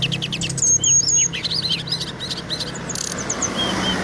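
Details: Indonesian Brown-chested jungle flycatcher in full song: clear short whistles and quick slurred notes, strongest in the first half, over a noisy background with a low steady hum.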